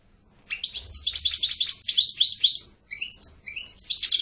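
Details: European goldfinch singing: a rapid, liquid twittering of short chirps and trills, high-pitched and tumbling, broken by a brief pause before more bright tinkling notes resume.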